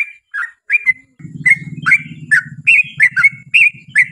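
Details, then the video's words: Yellow-vented bulbul song meant to draw other bulbuls into answering: bubbly whistled notes in quick pairs and triplets, rising and falling, over a low continuous rumbling hum through most of the recording. "KICAU SUARA trucukan gacor ROPEL PANJANG pancingan trucukan agar bunyi MENJADIKAN trucuk gacor NYAUT"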